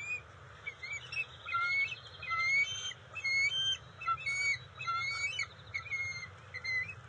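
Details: Bald eagles at their NCTC nest on June 27, 2021, as the adult female delivers fish to the eaglets; high, thin whistled notes with buzzy harmonics come in uneven bursts about once a second over steady low background hum.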